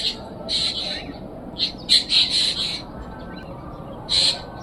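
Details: Black drongo calling: harsh, grating high notes in short bursts, single and in quick pairs, spaced irregularly over a few seconds, against a steady low background rumble.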